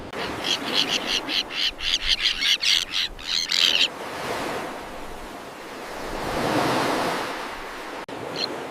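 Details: In a common tern breeding colony, a quick run of scratchy, grating calls fills the first few seconds, then gives way to swelling surf-like rushing noise with one last call near the end.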